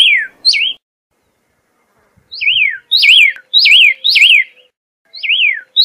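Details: Pyrrhuloxia repeating wavy whistled notes that slide down with a brief rise, delivered singly and in runs of three or four, with pauses between phrases; faint clicks in the background.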